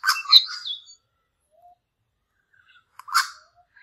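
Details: Two young male Australian lyrebirds squabbling over territory: a burst of harsh, scratchy, rapidly modulated notes in the first second, a brief quiet whistle, then another broad rasping burst near the end.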